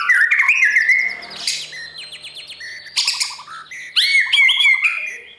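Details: A white-rumped shama's morning song for tutoring freshly caught birds before singing contests: quick whistled notes, a buzzy rising burst, then clear descending whistles and rapid chattering trills.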